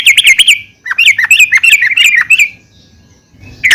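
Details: Female yellow-vented bulbul calling to other bulbuls; rapid bubbly series of slurred notes that swing up and down, then near silence and one final note.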